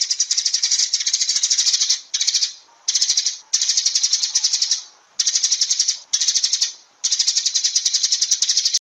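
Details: Sparrow calls forming long, continuous runs of high, rapid chirps that sound like a rattling chatter, broken by brief pauses about every second or two.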